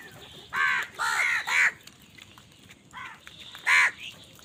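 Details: Crows fighting for food utter rasping caws, a rapid group of three followed after a gap by two more, loud and hoarse.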